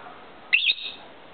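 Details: A two-year-old pet lovebird singing to its owner: one short squeaky high chirp burst with a trailing softer note, over steady background hiss.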